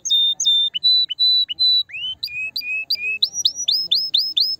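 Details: Canary song to stimulate the female: clear flat whistled notes repeated, then upslurred chirps repeated about three per second, rising into quicker high sweeping notes.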